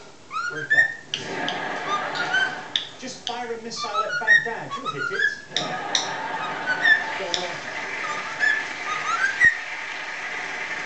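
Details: Pet cockatiel singing a mashup of the Chocobo and Addams Family tunes over background racket; bursts of chatter and clicks followed by repeated rising whistled notes.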